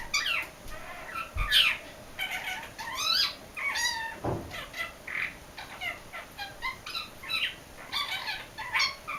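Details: A pet English budgerigar getting ready for a nap warbles a run of bright chirps, squeaks and harmonic chatter, imitating its best friend, an Indian ringneck parakeet.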